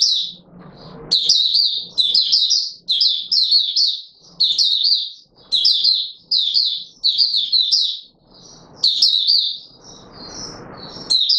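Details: Courting caged Oriental white-eye singing a long series of high, rapid warbling phrases, each under a second, repeated steadily about every second with brief gaps, faint low room noise between.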